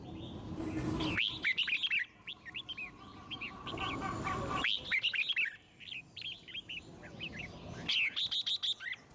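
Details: Red-whiskered bulbul with a wild 'forest voice' song used to spur birds into singing; three bouts of tumbling whistled notes separated by louder background noise, ending in a fast run of crisp chirps.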